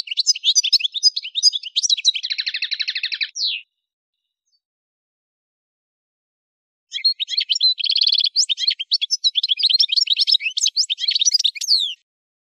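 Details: Algerian goldfinch song from Kef El Hammam, Souk Ahras, Algeria: long bursts of fast, varied tinkling twitters and buzzy trills, separated by about three seconds of silence, then a second extended jumbled twittering phrase.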